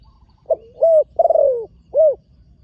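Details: Young spotted dove in training, first time on the dirt competition ground, delivering one coo phrase: a short clipped opener, a smooth held coo, a longer quavering descending coo, then a closing rounded note. Quiet background.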